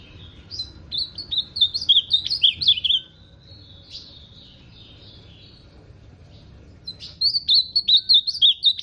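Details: Ultramarine grosbeak repeating its song twice, each a roughly two-second string of quick, looping whistled notes, with a quiet pause of about four seconds between.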